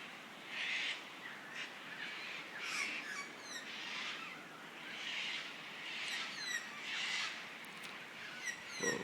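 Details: Noisy cockatoos around a country home: harsh, raspy screeches repeated roughly every second, with thin twittering chirps of other birds in between.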